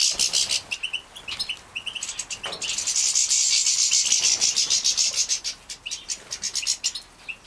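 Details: Young captive-bred European goldfinches in Poland, 2017, being fed. Separate high chirps lead into a loud, sustained, fizzing chatter, then break back into pulsed chirps and short bursts.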